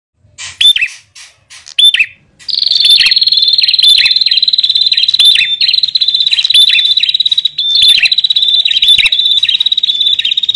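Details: Bar-winged prinia, male and female, used to lure wild birds: a few separate sharp chirps, then a continuous high, rapid buzzy trill with downslurred notes laid over it, repeating steadily to the end.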